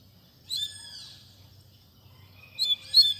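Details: Double-collared seedeater in Tui Tui Zel Zel song used to train young birds: a drawn-out whistled note with harmonics, a pause, then two short bright chirps near the end over faint low hum.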